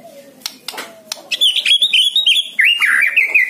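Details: White-rumped shama song for coaxing a silent bird to sing: after a few soft clicks, a loud high rapid warble of trilled whistles pours out continuously for about two seconds.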